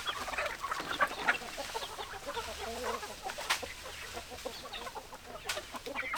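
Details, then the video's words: Chickens in a flock, many short overlapping clucks and murmuring calls in a dense, steady chatter, with occasional sharp clicks and knocks in the background. "Chicken Sounds Noises Hens Clucking Roosters Crowing"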